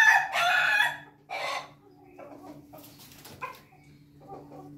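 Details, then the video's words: Ayam Ketawa (laughing chicken) rooster crowing on a Monday morning: a loud, harsh opening syllable and a second shorter burst, then a trailing run of softer staccato chuckling notes over a steady low hum. "ayam.ketawa hari senin pagi berkokok"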